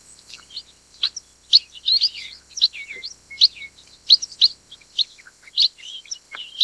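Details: Chestnut munia, also named black-headed munia: dense twittering of quick high chirps and short slurred notes, often in pairs, repeated irregularly through the whole stretch over a faint constant high background tone.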